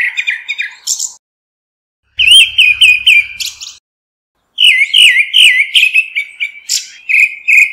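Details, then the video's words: A grey-backed thrush gives flock-summoning calls in three bursts: rapid strings of warbling, looping whistles and short chirps, the last burst long and dense, with faint low knocks in the middle burst. "Tiếng chim Hoét lưng xám gọi bầy chuẩn không tạp âm"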